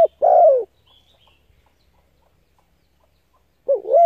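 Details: Single long falling spotted dove coo, used to lure and stimulate decoy birds, followed by three seconds of near silence and the wavering opening of the next phrase.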